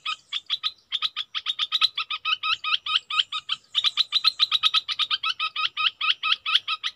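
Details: Red-whiskered bulbul decoy in an unbroken, lively series of bright chirps mixed with curled, slurred notes, speeding up toward the end.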